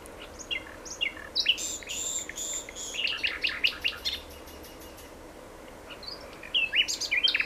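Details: Common nightingale pouring out rich song: dense bursts of rattling and chirping notes, a run of fast repeated clicks, a pause, then bright whistled notes resuming.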